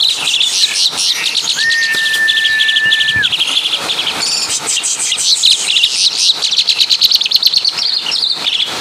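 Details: Asian pied starling from Java in full song imitating caladi and kapas tembak: rapid buzzy chattering and chirps throughout, with a long flat steady whistle held for about two seconds early on.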